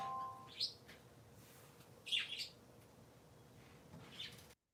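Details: Three pet parakeets heard on a Sunday morning: a few scattered high chirps, the middle one loudest and slightly doubled, against a hissy background and a faint hum.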